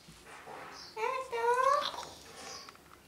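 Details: A parrot imitating human words such as 'mummy papa'; one short speech-like phrase of two tonal, harmonic syllables, the second louder and rising slightly, over quiet indoor background hiss.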